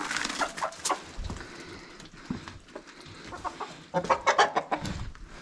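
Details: A flock of hens at morning feeding on a smallholding: scattered soft clucks, then a quick burst of several louder, rapid clucking notes near the end amid rustling and footsteps.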